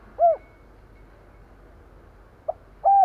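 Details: Decoy spotted dove coo meant to provoke wild birds: one isolated hooted note, a long pause, then a short tap and another low hooted note.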